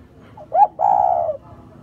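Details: Single spotted dove coo phrase: a brief upward-bending note, a tiny pause, then a longer level, soft hooting note trailing off, in quiet surroundings.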